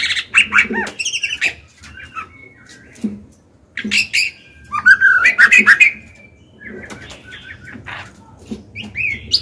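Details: Captive female white-rumped shama singing to stir males into song: a varied run of whistled phrases and rapid chattering notes, some rising and trilled, separated by short pauses, with faint low knocks beneath.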